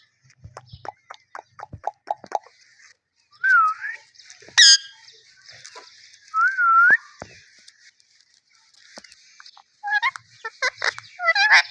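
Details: Indian ringneck parakeet in its natural voice: a run of short sharp clicks and ticks, then several clear whistled notes that dip and rise, a piercing high squeal, and a closing burst of rapid chattering whistles.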